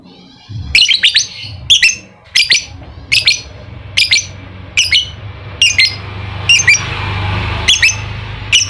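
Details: Lovebird ngekek song, played as a lure to rouse a lazy, silent lovebird into singing: sharp shrill squawking bursts repeated roughly every 0.8 seconds, over a faint low hum.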